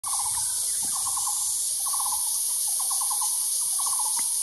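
Taiwan barbet giving quick bursts of four to six hollow, low notes, repeated about once a second, over a steady high-pitched insect drone.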